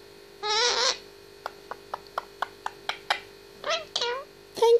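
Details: Eighteen-month-old captive grey parrot talking in a small room: a harsh raspy burst, then a steady run of about ten sharp tapping clicks, followed by warbling speech-like calls and a final squeak.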